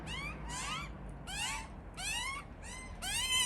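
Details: Hungry Australian magpie chicks, two young birds tucked away in a tree, incessantly begging their parents for food: loud, raspy, harmonic cries that rise and bend, in bursts of roughly half a second with brief gaps.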